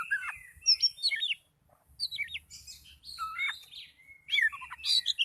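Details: Softer, more distant sounding song from an agitated Oriental magpie-robin, with twisting whistled phrases and scratchy notes in three bursts separated by short silences.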